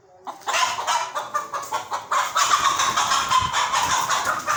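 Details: Chicken calling loudly with dense, rapid, harsh clucks that run together into a continuous noisy stream after a brief quiet start.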